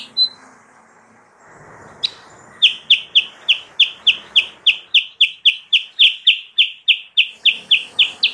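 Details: Sooty-headed bulbul song for luring wild birds: after a stretch of low background noise, a long, fast and regular series of sharp, bright chirps, almost four per second.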